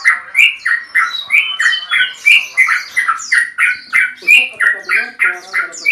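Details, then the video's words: Male Yellow-vented Bulbul in a long rapid calling series toward a rival: squawky, buzzy notes repeated about three times a second, briefly overlaid by a lower hum near the end. "PANCINGAN BURUNG TRUCUKAN JANTAN ROPEL PANJANG MEMANGGIL LAWAN"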